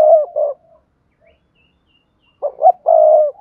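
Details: Spotted dove cooing to stimulate other doves to call: a quick two-note coo, a pause, then a phrase of short rising notes ending in a long, drawn-out low coo.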